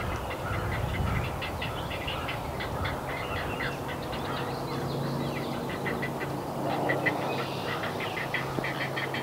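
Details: Great blue heron nestlings in north-central Massachusetts, USA, give a rapid, harsh ticking clatter of begging calls as parents return to the nest with fish, over a steady low rumble of distant traffic.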